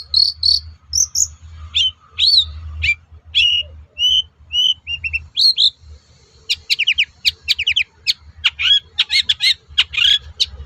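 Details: A lure song of the long-tailed shrike, used to make other shrikes answer. It opens with varied high whistled and slurred notes, then turns into fast, dense, buzzy chattering bursts.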